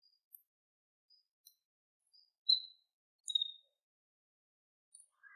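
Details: Siberian long-tailed rosefinch feeding on tall goldenrod, giving two thin, high, slightly falling whistled calls close together, with fainter brief ticks scattered around them in otherwise quiet surroundings.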